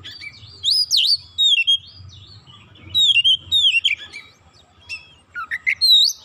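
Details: Oriental magpie-robin singing without pause as a lure for other magpie-robins: rich varied phrases of swooping whistles and buzzy chirps, delivered in bursts of several notes with short breaks, with a quiet low hum behind.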